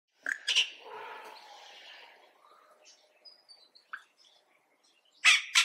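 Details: Yellow-rumped cacique giving loud, bizarre calls: two sharp broadband bursts, then a harsh, rasping, drawn-out note like a rusty barn door swinging open, scattered thin whistles, and a final pair of loud clipped notes.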